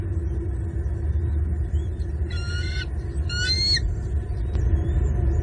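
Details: Wild bald eagles at their nest in southwest Florida on 20 January 2022, as an adult feeds a freshly plucked blue bird and fish to two eaglets; two short, squealing harmonic call bursts about a second apart over a steady low rumble from the nest camera.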